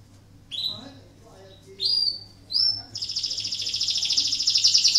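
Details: Breeding-condition canary song used to prompt other canaries into singing: three separate high whistled notes with rising glides, followed by a bright, rapid, buzzy trill that grows louder toward the end.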